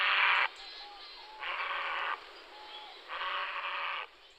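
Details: A grey heron (Ardea cinerea) gives three harsh, rasping croaks, each about half a second long and roughly a second apart, with faint thin whistles from another bird between them.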